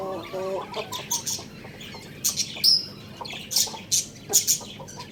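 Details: Young rooster eating rice: a rapid burst of soft stacked chirps at the start, then scattered sharp pecking clicks and taps as it feeds.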